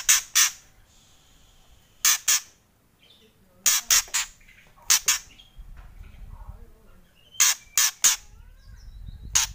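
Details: White-rumped shama kretekan, sharp rasping bursts in pairs and triplets spaced a second or two apart, with faint soft notes between.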